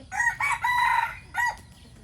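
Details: A decoy rooster's morning crow: a harsh, tonal cock-a-doodle-doo, with a short first note, a long steady middle and a falling last note, all in about one and a half seconds, over low rumble.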